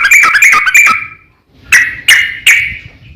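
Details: Sooty-headed bulbul singing the long rapid 'ropel panjang' style, calling a rival to provoke other bulbuls: a dense burst of bubbly whistled notes for about a second, a pause, then three separate sharp chirping phrases.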